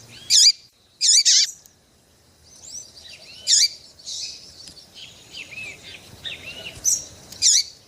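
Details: Female double-collared seedeater calling to get a male to sing, aimed at birds kept for singing tournaments; five loud, short, sharp chirps, some in quick pairs, separated by softer thin whistled notes and quiet gaps.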